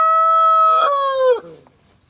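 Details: Tail of a village rooster's crow: a long level ringing note that steps down slightly, then falls away abruptly into near silence.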